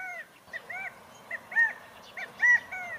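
California quail calling in short, arched, nasal notes, run together in quick groups of two or three and repeated about once a second.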